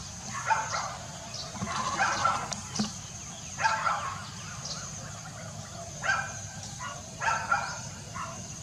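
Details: An African grey parrot repeats rough, bark-like calls in loose pairs and singles, with irregular gaps of one to two seconds, plus a few sharp clicks over low constant background noise.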